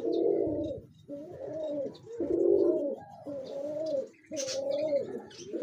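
A pigeon gives deep, throaty coos in steady roughly one-second phrases, each swelling and dropping, with faint higher chirps in the background.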